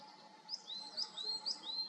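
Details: Coal tit in conifer woods of Serra da Groba, Galicia: short series of thin, high two-part notes, a brief sharp upward note followed by a lower drawn-out whistle, repeated four times over faint background hiss and hum.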